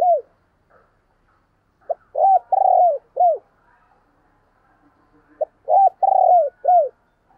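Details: Spotted dove used as a decoy to draw in wild doves, giving two clear cooing phrases about three seconds apart, each a brief lead note, a drawn-out rolling coo and a falling final note.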